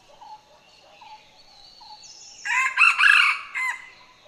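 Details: Red Junglefowl, the wild ancestor of the domestic chicken; after a few soft distant notes and thin whistles, the male gives a hoarse, broken crow in rasping bursts that cuts off short.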